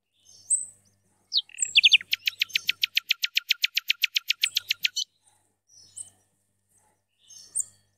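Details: Song of an Algerian goldfinch hybrid, recorded in 2017: a few sharp high chirps lead into a long, even series of about twenty rapid, ringing repeated notes lasting three seconds, followed by scattered faint twitters.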